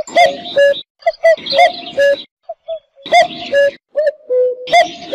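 A cuckoo gives mellow, falling two-note 'cu-coo' phrases, repeated roughly every second and a half with short pauses between.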